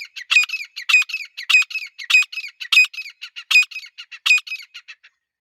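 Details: A female grey francolin, with a male standing nearby, gives loud, harsh, high-pitched squawking notes, a strong note about every two-thirds of a second with quicker shrill chips in between.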